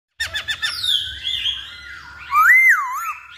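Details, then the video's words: Masked laughingthrush song: a few quick rising chirps, then sustained clear whistles near one pitch, ending in a loud looping whistle that rises and falls. "Pancingan Poksay Hongkong"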